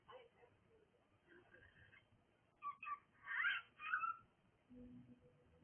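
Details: Cockatiel making noise: two short harsh notes, then two loud, screechy, wavering calls about half a second apart, over faint background hiss.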